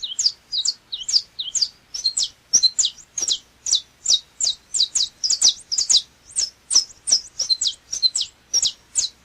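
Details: Saffron finch (canário-da-terra) pouring out a sustained song of rapid, high, clipped notes, many slurred downward and paired, about three per second without a break.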